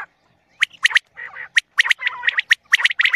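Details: Calling common quail used for morning hunting: crisp, high, clicking notes bunched in twos and threes, with a brief harsh, rasping phrase between the bursts.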